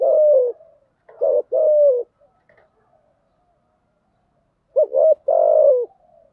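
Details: Spotted dove coo for luring birds: two phrases of short paired hoots and a long sliding coo, separated by a quiet pause with faint small clicks.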